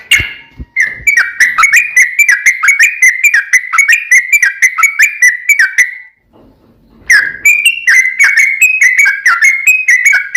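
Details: Sooty-headed bulbul in full fighting song with long rapid-fire phrases, used as a lure to make other bulbuls answer: dense run of short bright whistled notes with slurred, jumping pitches, stopping near six seconds, then resuming for three seconds.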